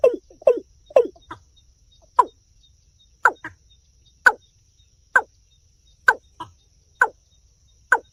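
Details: A quick cluster of falling notes opens this watercock call, which then settles into single abrupt notes spaced roughly a second apart over a quiet background.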